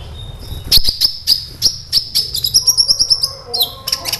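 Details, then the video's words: High-pitched sunbird song from the bird called kolibri ninja, used as a lure: sharp chips speeding into a rapid run of a dozen evenly repeated bright notes, ending in a short falling whistle. "SEMUA Burung KOLIBRI CUEK LANGSUNG RESPON DAN GACOR Dengan PANCINGAN INI!KOLIBRI NINJA GACOR"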